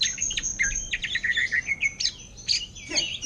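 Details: Caged greater green leafbird for sale, singing ngentrok in orange-headed thrush style. Quick, high whistled phrases and twitters, with a few sharp clicks.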